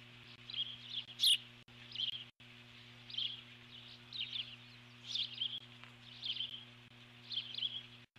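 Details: Eagle guarding its nest alert-calls repeatedly at an intruding eagle or osprey, 12 July 2014; a shrill squeal early, then regular bursts of high chittering roughly every second, above a steady low hum.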